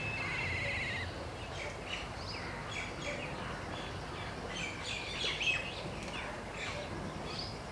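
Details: Trio of Wire-tailed Swallows perched on a barren tree, calling to one another: quick, thin high chirps, about four per second, scattered and irregular over a steady rural background hiss, with a Black Kite also present nearby.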